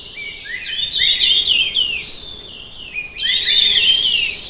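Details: Red-tailed minla singing: two bursts of high, rapid, twittering warbled phrases sliding down in pitch, separated by a quieter pause, over faint background hiss.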